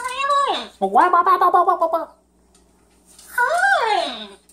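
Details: Pet yellow-naped amazon at home in a small room during a goofy evening, saying words in a high, nasal voice: a falling syllable, a quick burbling phrase, then a long downward-sliding call, with a person chatting nearby.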